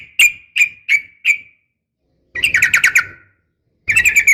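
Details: Female yellow-vented bulbul calling a male: four evenly spaced sharp chirps, a silent gap, then a short rapid chatter and another quick burst of notes.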